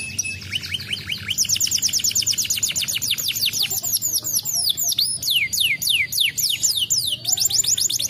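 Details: Canary lure song meant to prompt other canaries to answer: fast rolling trills of repeated down-slurred whistled notes, high and bright, shifting between rapid bursts and slower sweeping phrases without pause.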